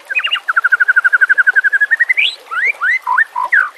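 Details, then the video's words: White-rumped shama song from a tutor recording for training caged birds: a fast, even trill of about eight notes a second that climbs into a rising sweep, followed by rich upslurred and down-curving whistles. "Murai Batu CULUN DAN MBAGONG dijamin langsung nyamber dengan masteran burung terbaik"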